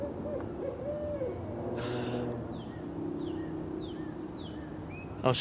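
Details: Barred Owls at an Oklahoma city park creek, wild, on Earth Day, starting to call: a couple of soft, arched hoots at the start, then rustling noise, faint high descending bird notes and a loud knock at the end.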